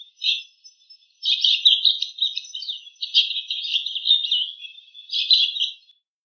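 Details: Wild bull-headed shrike imitating other birds' calls: a short chirp, then a rambling run of varied squeaky, chattering notes in a high band for about four seconds, ending with a brief burst. No other sounds.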